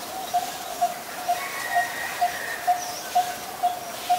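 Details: In Ubon Ratchathani, Thailand, on 23 January 2020, a Coppersmith barbet repeats nine even, metallic tuk notes at a regular pace of roughly two each second over a soft background hum.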